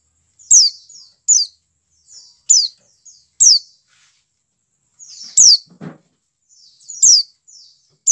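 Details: White-eye (dakun) calling to make captive birds start singing: series of shrill, steeply falling notes with quieter buzzy trailing notes, about seven loud calls over eight seconds, with one brief low rustle.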